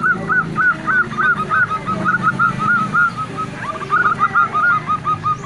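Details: Local zebra dove hen calling to stimulate a male during mating season, producing quick strings of short rising-falling coo notes in bursts, with a brief pause midway and a constant low hum underneath.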